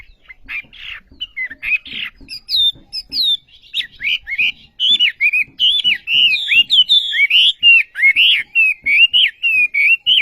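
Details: Olive-backed sunbird singing a lively, rapid song of high buzzy chirps and twisting whistled notes, starting hesitant and scratchy then becoming a fast, steady run of repeated wavering phrases, in a quiet setting.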